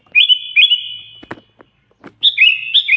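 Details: Sooty-headed bulbul with loud, rival-calling song: two quick rich whistled notes, a pause filled with soft rustles and clicks, then another pair of bright descending whistles.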